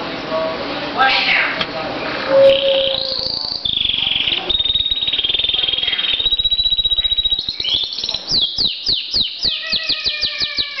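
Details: A pet canary sings a long, varied song: warbled phrases and steady high whistled notes, then fast rolling trills of quick repeated notes towards the end.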